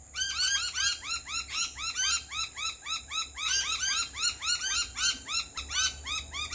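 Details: Pair of lorikeets singing while visiting a backyard at a barbecue lunch: dense, continuous run of quick arched notes, about three to four each second, rhythmic and bright, over a faint steady high hum.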